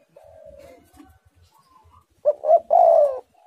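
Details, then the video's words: Spotted dove ending with a loud phrase of two short coos and a sustained falling coo, after a soft, drawn-out low note and faint background calls. "tekukur super gacor suara menekan rapat"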